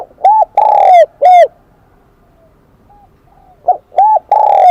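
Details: Wild-caught spotted dove of the Kim Đồng voice type repeating its cooing song: a long resonant note between short arched coos, a pause of about two seconds, then the phrase resumes.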